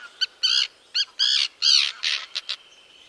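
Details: Common terns breeding on rafts in Dachau, Germany, where young are raised regularly; loud, harsh, grating high calls in uneven bursts, some drawn out and some clipped, crowding over three seconds.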